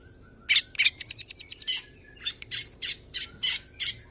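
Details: Tame long-tailed shrike singing a mimicry-rich song meant to prompt other birds: two harsh notes, a quick high trill of about eight notes, then spaced raspy chirps.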